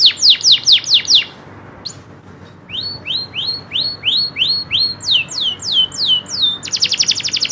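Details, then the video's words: Local canary song opening with fast falling whistles, a short pause, then evenly spaced rising whistled notes and a closing rapid trill. "kenari loper suara asli nembak ngerolll"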